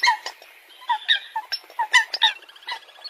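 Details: Coot sounding squeaky, honking notes, a few doubled, fading into softer chatter at the end.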